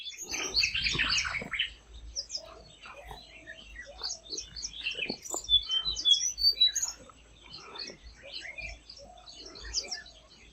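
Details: Tickell's blue flycatcher in Indian forest canopy, flitting about; many high, thin chirps and short twittering notes in irregular bursts, with a loud burst of chatter near the start.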